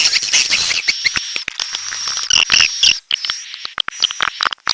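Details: Red-nest swiftlet calls: short high chirps and a few harsher notes mixed with rapid dry clicks, over a steady high-pitched tone.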